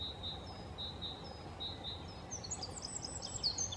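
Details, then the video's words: Eurasian wren song, a dense, very high, fast-tumbling sequence of sharp notes starting partway through. Before it, a background hum and another bird's thin, evenly spaced whistled notes. "Winterkoning – Troglodytes troglodytes"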